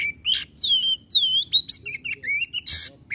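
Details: Magpie-robin (kacer) singing loud, harsh, varied phrases: arching whistled sweeps mixed with squawky rasping notes and quick chips in a continuous stream.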